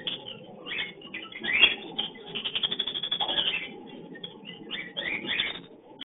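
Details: Lovebirds calling while breeding, busy scratchy chatter and squeaks with a rapid stuttering run of clicks in the middle, over a steady noisy background.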